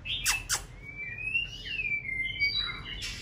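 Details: A female white-rumped shama singing to stimulate a male ahead of breeding season, after completing her moult. Two sharp clicks open, followed by one long level whistle that wavers slightly and ends in a burst of higher notes.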